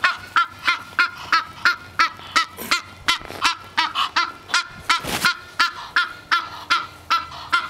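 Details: Egyptian goose, a female waiting at the back door early in the morning, honking insistently to show she is hungry; rapid, rasping honks about three a second, broken by a couple of rustling, thumping bursts.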